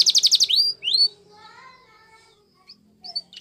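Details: Yellow Spanish Timbrado canary training song: a quick burst of rapid high trilled notes and two rising whistles, then faint soft lower tones and a near-silent pause before a few scattered chirps.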